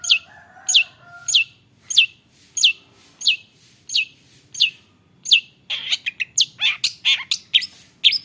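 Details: Long-tailed shrike, noted for copying other birds' sounds, producing a steady series of sharp downslurred notes about every 0.65 seconds, then switching to a fast jumble of varied chirps and squeaks, with faint low whistles early on.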